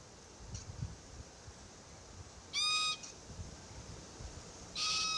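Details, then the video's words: Young Forest Red-tailed Black-Cockatoo calling incessantly near its feeding parents: two loud, rasping, high begging squeals about two seconds apart, with faint background rustle. "Forest Red-tailed Black Cockatoo pair feed while their youngster complains incessantly."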